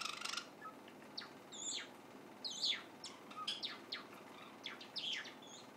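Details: Half-grown white Java sparrow rehearsing song indoors: a rustle, then bursts of sharp descending chirps and a few level whistled notes, spaced unevenly across the clip.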